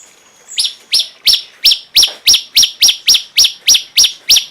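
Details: Cungkok song: a steady series of sharp, high chirps, each sweeping down then up, repeated about three times a second with even loudness and no other sounds.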